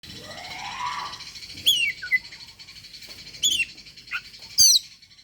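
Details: Oriental magpie-robin (kacer) challenging a rival to fight, a sound also used to coax quiet birds into singing: sharp, high, down-slurred notes repeated about every second and a half over a faint buzzy wash.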